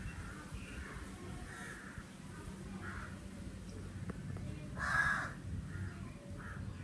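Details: Crow calling outdoors in summer: one loud harsh caw near the middle, with fainter distant caws earlier, over steady low rumbling background noise.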